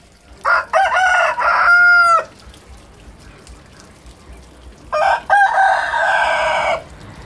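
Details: Roosters crowing against each other, a crowing contest. Two loud, harsh crows about three seconds apart. The first ends in a drawn-out clear tone. The second is a buzzy, sustained crow. A quiet background lies between them.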